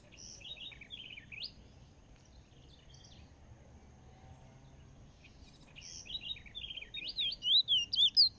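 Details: Chestnut-bellied seed finch (Sporophila angolensis) from Trinidad sings two high, rapid warbling phrases separated by a pause, the second building to loud, sweet slurred whistles sweeping up and down.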